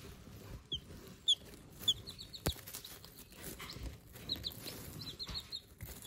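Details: Day-old Silver Laced Wyandotte chicks in a brooder give scattered high, short downslurred peeps, a few loud ones standing out over steady background hiss and a sharp knock.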